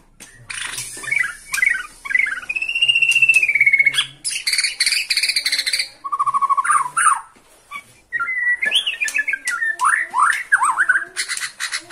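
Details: Excited caged Bornean white-rumped shama singing toward a rival: long gliding whistles, buzzy chattering bursts and a run of rising slurred notes, with brief pauses between phrases.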